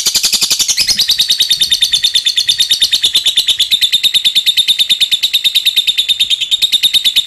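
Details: Lovebird in ngekek, the long chatter played to set other lovebirds chattering: a continuous rapid, shrill, buzzing rattle sustained at an even pace throughout.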